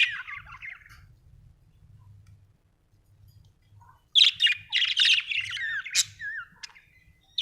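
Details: Budgie chirping: soft warbled twittering at first, a quiet pause with faint low hum, then loud rapid chatter of chirps, squeaks and wavering whistled notes.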